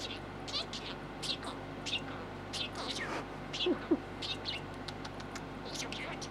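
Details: Six-month-old male American budgie kept as a pet, talking while playing with a green yoyo ball; soft, scattered high chirps and clicks in short bursts over a steady background hum.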